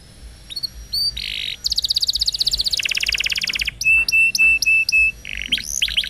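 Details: Canary singing on a training recording meant to teach young birds and coax silent canaries back into song: a buzzy note, then long rapid rattling trills, a row of clear steady whistled notes, and more buzzy phrases.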